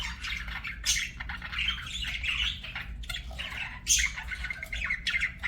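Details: Pet budgerigars singing: a fast run of grating, chattering warble notes mixed with clicks and sharp chirps, continuing throughout with brief loud squawks, over a quiet hum.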